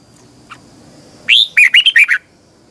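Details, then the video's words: Red-whiskered bulbul, kept caged, giving a training morning song in the twisting double-voice style: one faint chip, then a quick phrase of six clear, looping whistled notes in under a second. "Luyện chào mào hót sáng, hót hay - Giọng kép xoắn tít"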